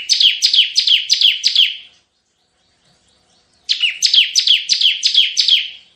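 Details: 'Tembakan' style song of a vocal Bar-winged prinia, used to lure birds and tutor other songbirds: two bursts of five or six sharp, falling chirps, about three per second, separated by a silent gap.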